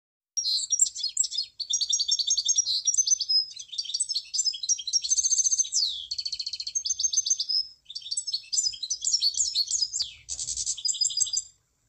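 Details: Munia song: a long run of high, thin chirps and rapid buzzy trills, with a few short pauses and one sweeping downward slur near the middle; dense, steady singing with no other clear sounds.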